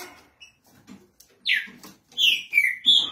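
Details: Trinca-ferro, the green-winged saltator, gives one strong down-slurred whistle, pauses, then adds three quick whistled notes, the last one flatter and sustained, over soft rustling and knocking.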